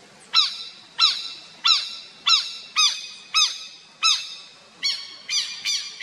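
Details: A Southern lapwing (Vanellus chilensis) at its nest in the Botanical Garden, São Paulo, Brazil, August 2021, gives about ten loud, strident, ringing notes, roughly one every half second, each sharply rising then falling, over a faint hiss.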